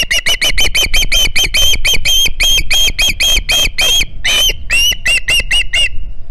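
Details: Young Osprey at the Hog Island nest on 9 September 2019, calling for another fish: continuous rapid, harsh, high piping notes in an unbroken series, with a couple of longer, slurred squeals near the end.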